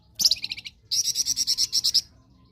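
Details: Blood-breasted flowerpecker sought as a song tutor: a short chattering phrase, a brief gap, then a rapid series of about twelve high, ringing, sharply repeated notes.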